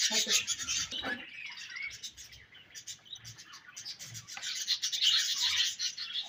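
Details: Budgies at their favourite food give fast scratchy chirps and warbles, loud at the start and again toward the end, over a constant rasping feeding noise.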